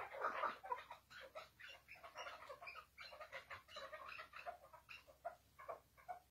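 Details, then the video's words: A chukar partridge gives a rapid, uneven run of harsh, clucking chuk notes, about four a second, with a louder burst at the start; nothing else stands out. "Keklik Sesi Hıngırması"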